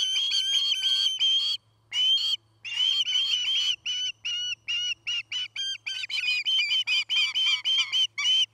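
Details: Osprey at its nest in Charlo, Montana, recorded by a live camera on 09-08-2018 around midday, a pair busy with nest building: long run of high piercing chirps, some lengthened into whistles, repeated more quickly in the second half, faint hum beneath.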